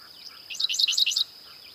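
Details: Dickcissel song: a short, rapid burst of four or five dry, chirpy notes that sweep up and down across high pitches, over a steady high insect-like whine.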